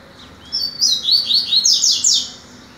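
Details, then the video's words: Morning song of a rusty-collared seedeater, tuitui style, recorded on 22 September: a rapid series of high, clear down-slurred whistles, about eight notes in two seconds, over a faint constant hiss. "Coleiro tuitui"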